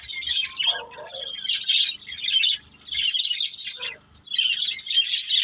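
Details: Playing budgerigars, a family of pet birds, chirp and warble in high rasping bursts separated by two clear silences, with a lower slurred note in between.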